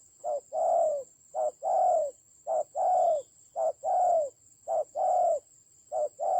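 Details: Spotted dove calling during a fierce battle with a decoy bird in Vietnam's Central Highlands, 19 October 2020: steady series of mellow low coos, short-long pairs repeated about every second, accompanied by a constant high hum.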